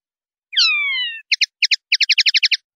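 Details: Clean-style 'pardillo limpio' singing of a common linnet, Spanish silvestrismo CD, 2019/2020: a long clear whistle sliding downward, then paired chirps and a rapid rattling series of about eight twittering notes.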